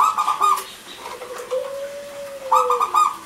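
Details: Local zebra doves, male and female, used as a lure for silent birds, singing in a clear crystal-voiced style: two bursts of three to four rapid, bright cooing notes, with a long, smooth, lower whistle-like note held between them.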